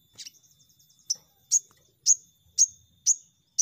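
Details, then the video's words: Crested jay giving a quick run of fine, high ticking notes, then sharp high chips about every half second. "Pancingan Sogon Bahan Cepat Nembak"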